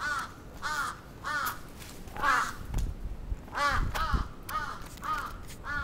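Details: Crows attacking in Atsubetsu Ward, Sapporo, on 27 June 2017, giving harsh repeated caws about every half second, a long series of hoarse arched calls near the middle pitch, with low thumps and rumbling background noise.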